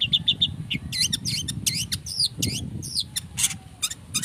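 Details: Long-tailed shrike song played as a lure to provoke singing: three short high chips, then a fast run of harsh, scratchy downslurred notes and clicks with a steady low rumble underneath.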